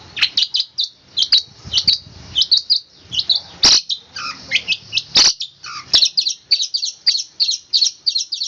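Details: Long-tailed shrike singing in the fast, tightly packed rolling style called roll speed rapat: a long run of short, high chirpy notes repeated several times a second, with sharp clicks and knocks between them.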